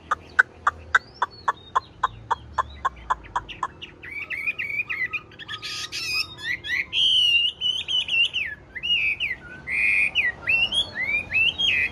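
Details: Large, green-eyed Chinese hwamei kept tame in a cage: a run of sharp evenly spaced clicks, then loud warbling whistled song with rapid varied phrases and a brief burst of rustling noise.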